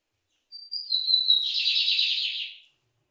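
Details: Bigodinho, the lined seedeater of Brazilian open fields, cultivated land and scrub, sings a pure high whistle that drops in pitch and runs into a dense, fast buzzing trill of about one and a half seconds. No other sounds.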